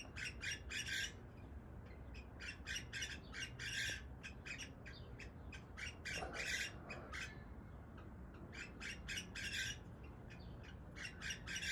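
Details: Mating-season cockatiel calling: bursts of scratchy squawks and short chirps, about four per second in irregular clusters, over a constant low background hum.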